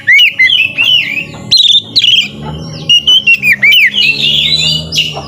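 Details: Full song of a white-rumped shama, used to prompt lazy shamas to sing: clear fluted whistles, rising and falling slurs and a few sharp clicks in quick, varied phrases.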